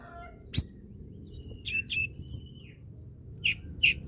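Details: Hill blue flycatcher in strong, chattering song to stimulate silent birds: a sharp click, then very high sweet whistles and quick downslurred chirps in repeated phrases.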